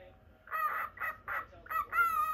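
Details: Pet cockatiel, normal lutino, giving four or five quick, ringing notes in succession, the last one drawn out longer and steady in pitch.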